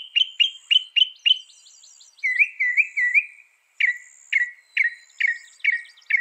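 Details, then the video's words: Northern mockingbird, known as a mimic of 200 sounds: five crisp downslurred notes, a short series of lower rolling chirps, then a slower sequence of sharp descending notes about twice a second. "Masteran suara burung NORTHERN MOCKINGBIRE bisa merekam 200 suara"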